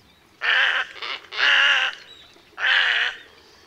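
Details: Little Egret in Sri Lanka giving four harsh, gargling croaks, each under half a second to about half a second long, with uneven gaps, over a quiet background.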